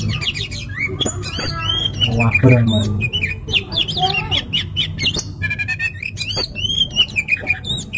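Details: Caged Oriental magpie-robin in fired-up, nonstop song used to rouse other birds, a dense torrent of varied whistles, rapid trills, upslurs and harsh chatters, loud and busy throughout.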